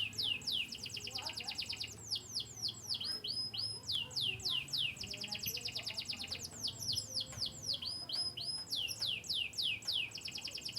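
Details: Canary descended from Yorkshire, Turkish and US lines, singing fast high trills of rapidly repeated sweeping notes, rolled tours alternating with buzzier bursts, nonstop over a faint low background hum.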